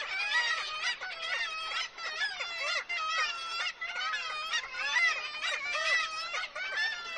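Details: Kittiwake colony at Dunbar, Scotland, a rapidly declining species, in full cry: dense overlapping nasal wails, each bending up and down, repeated roughly once a second by many birds in a noisy clamour.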